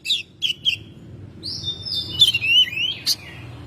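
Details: Oriental magpie-robin, a house bird singing in May: short chirps, then a long drawn whistle sliding into a wavering warble and a sharp click, over a low background hum.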